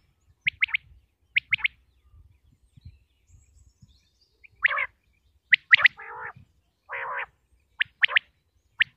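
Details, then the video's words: Common quail (batair) from Punjab, Pakistan, associated with hunting: high clipped doublet notes at first, then lower, grating, nasal buzzy notes interspersed with further sharp high pairs, separated by quiet pauses. "quail sounds 2023|batair ki awaz 2023|pakistani batair|top sounds of batair"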